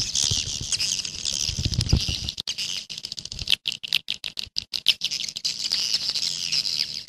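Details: Chorus of swiftlets in a 'jaguar' style call track, high shrill chattering chirps that break into a series of short clipped bursts mid-way, then flow again as steady twitter; some low rumbling early on.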